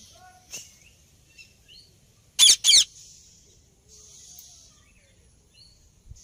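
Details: Alexandrine parakeet uttering a quick pair of shrill, harsh screeches midway, surrounded by long quiet stretches with faint distant chirps and a low background hiss.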